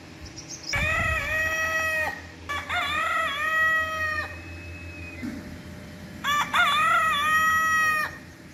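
A rooster gives three loud, harmonic crows, the first two close together and the third after a pause, each a rising then long sustained cock-a-doodle-doo.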